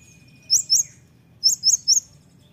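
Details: Olive-backed sunbird, known locally as kolibri ninja or konin, in a full, lively song: two quick bursts of sharp, very high chirps, first a pair, then a run of three, over a quiet background.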